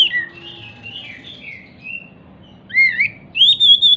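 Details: Lure song of an agitated, leaping Oriental magpie-robin, meant to prompt silent magpie-robins to sing back. Soft, wavering whistles and warbles lead into loud, sharply rising and falling whistled phrases, ending in a sustained, vibrant high note.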